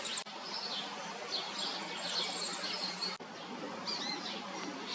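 Downy woodpecker chicks keep up a dense, high, buzzy chatter of overlapping begging calls with a few sharper chirps. Two abrupt cuts break the sound.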